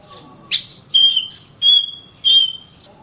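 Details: Kacer, or oriental magpie-robin, giving a sharp note followed by three clear, high, level whistles, each about half a second long and spaced evenly, with a quiet background.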